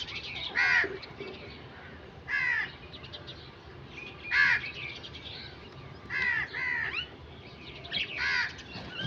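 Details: Crow cawing repeatedly, six hoarse, harsh calls spaced roughly every one and a half seconds, each short and rasping, with a faint hum of background noise between them.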